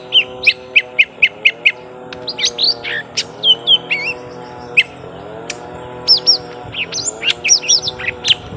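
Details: Young lesser green leafbirds during a long fight: a row of evenly spaced chirps opens, then varied twisting phrases and squeaks follow over a steady low droning, wavering tone.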